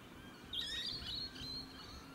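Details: Australian rainbow lorikeet in the evening, recorded on a 4K camcorder: one shrill, squeaky, high screech lasting under a second, followed by fainter chatter, over a steady background hiss.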